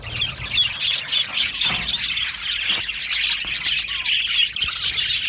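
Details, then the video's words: Many Australian budgerigars in an aviary colony, chirping and squawking, harsher raspy notes mixed into the steady high-pitched twitter of the flock. "Australian Budgie parrot chirping sounds"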